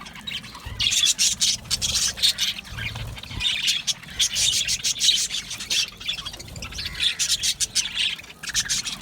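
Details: Australian budgerigars in an aviary colony, many birds chattering at once: dense high-pitched chirps, squeaky warbles and rapid twittering that swell in waves every second or two, with a faint low rumble beneath.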